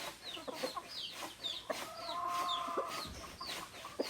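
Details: Native chickens, rooster and hen among them: high, falling peeps repeat about every half second, a long steady nasal note is held for under a second in the middle, and short low clucks punctuate throughout.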